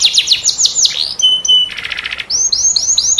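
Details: Masteran canary song with unique cengkok: quick falling whistles, a long steady pure tone, a short buzzy trill, then a series of rising-falling whistled notes repeated about every quarter second.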